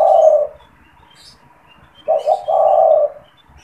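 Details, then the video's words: Caged spotted dove kept to call in wild doves, giving the tail of one long coo, then a fresh phrase of two short notes and a drawn-out low hoot; faint higher bird chirps. "SUARA PANGGILAN DAN PANCINGAN TEKUKUR TERBARU | TEKUKUR GACOR BAGUS BUAT PIKAT"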